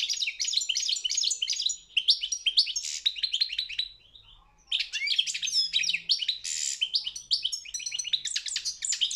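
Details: Twittering song of a European goldfinch at a world championship competition: quick sequences of sweet high chirps and buzzy trills, a brief pause midway, then a lively resumption.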